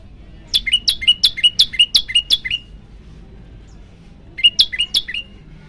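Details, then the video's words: Prenjak lumut prinia in a rapid burst of about eight sharp rising chirps, then a pause of two seconds before a shorter burst of four, part of a lively varied 'tembakan' performance. "prenjak lumut gacor tembakan variasi"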